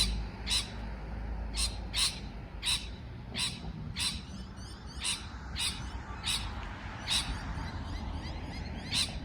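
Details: Scattered single raspy chirps from a parrot, spaced irregularly about every half second to a second, with faint softer twitters between them and a low steady background.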